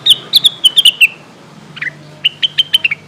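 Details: Lesser green leafbird lure recording, calling companions: a quick series of clear whistled notes near the upper-middle pitch, several sliding downward, then a brief low chatter and another evenly spaced run of sharp whistles.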